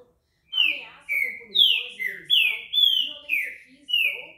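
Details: Green-winged saltator giving its repeating song, locally called trinca-ferro: after a short silence, seven bold downward-sliding whistles follow one another about every half second, with muffled talking from a television behind.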